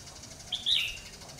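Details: Red-whiskered bulbul, a trainee decoy bird used for trapping wild bulbuls, recorded 30 June 2020; one short bright warbled phrase, rising then falling, over a quiet steady background hiss.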